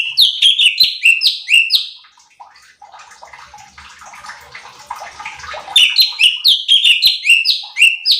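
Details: Cucak cungkok bulbul song used as a training recording to stir up competition birds: quick series of bright, up-slurred whistles at start and end, with a long stretch of soft splashing, water-like noise between.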